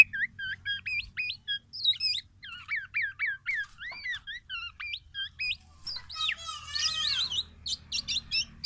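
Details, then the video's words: Black-naped oriole delivering a busy sequence of quick, angular chirps and slurred whistles, then a buzzy warbling burst followed by rapid clicking notes. "SUARA BURUNG KEPODANG EMAS YANG KHAS"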